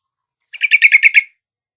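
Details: Yellow-vented bulbul used as a lure for a reluctant caged bird: one short burst of six harsh, evenly spaced chattering notes over under a second, then silence.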